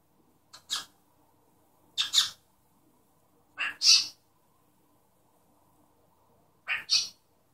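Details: Pet cockatiel imitating its owner's sneeze: four hissing, sneeze-like double bursts, each a quick pair of sharp breathy puffs, spaced one to two seconds apart in a quiet indoor room.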